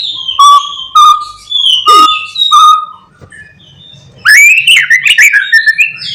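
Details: Morning lure song of a white-rumped shama, full of imitated phrases, used to rouse rival shamas. Four clear level whistles come about once a second, a quiet pause follows, then a burst of rapid rising, twisting whistles.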